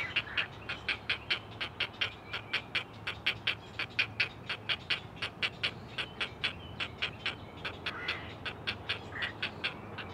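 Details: Four great blue heron chicks calling to their mother at a nest on a live camera: rapid, harsh clacking calls repeated steadily, about 83 per minute, with overlapping voices and a low background hum.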